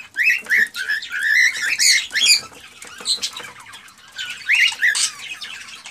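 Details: Excited male cockatiel song meant to urge a female toward mating and breeding, a dense run of rising whistled chirps and scratchy warbles, then a pause and another burst.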